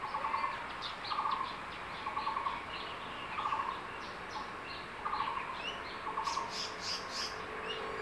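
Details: At a secondary-forest nest, a male crested goshawk with a fresh lizard summons the incubating female to lunch, giving clipped trilled bursts roughly every second, while thin high bird chirps and insect noise sound in the background.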